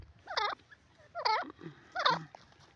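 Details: Grey francolin giving three loud, harsh, ringing calls about 0.8 seconds apart, each a rich nasal note that dips then rises, over a quiet background.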